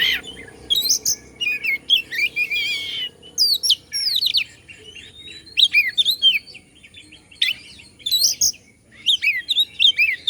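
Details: Oriental magpie-robin, Bandung kacer, sings to excite competing birds. The loud, varied bursts of high whistles, downslurred chirps and buzzy trills come every second or two, with brief silences between them.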